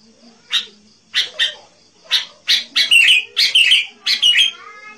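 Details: Lively sooty-headed bulbul used as a lure for wild birds, giving separate sharp chirps that quicken into short bubbly, slurred phrases.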